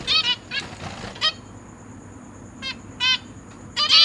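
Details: A zebra finch pair with six young, three juveniles and three newly fledged, in a large cage, 29 September 2023. About six short, nasal, toy-trumpet beeps come at an uneven pace over a faint high steady whine.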